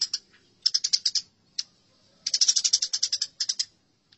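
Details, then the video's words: Sparrows in a fight utter scattered sharp chirps that build into a dense, rapid rattle of high notes before tapering off. "Masteran Gereja Tarung || Gereja Tarung"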